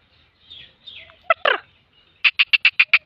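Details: Female black francolin calling in the morning in a happy mood: a few faint rasping notes, two loud harsh grating notes, then a fast, even run of about eight sharp clicking notes.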